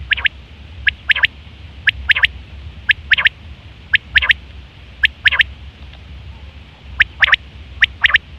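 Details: Common quail calling in September 2023, sound used for hunting and mating: clear, evenly spaced triple notes, sharp and liquid, repeated about once a second over a quiet background.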